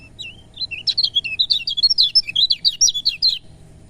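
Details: Lemon-bellied white-eye singing, played to encourage reluctant birds to sing: a lively, fast-paced warble of high, slurred twitters rising and falling, lasting nearly three seconds.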